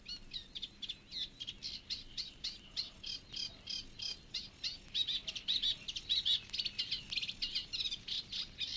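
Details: Reed Warbler singing in the reed beds of Matsalu: a steady, rhythmic chattering of short, scratchy, churring notes, about one or two every second, some repeated in pairs, with a brief whistled note near the end.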